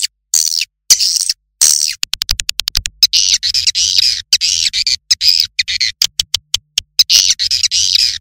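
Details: Swiftlets giving dense, high, buzzy chirps and trills in short bursts, broken by abrupt silent gaps, some bursts fast and clipped, others longer twittering runs.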